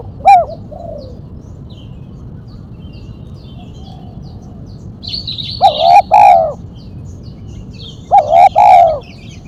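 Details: 'Mercik' coos of a spotted dove, sharp single 'kuk', used for luring and training: an isolated coo, a long quiet gap, then two phrases of rising-falling coos, with a burst of high chirping and background hum.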